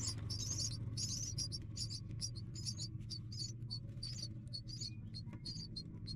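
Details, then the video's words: Hungry nestlings, three of them, wait for food and call in rapid, high, wavering chirps, more than two per second, fading slightly toward the end, with a constant low hum behind. "Three Baby Hungry food"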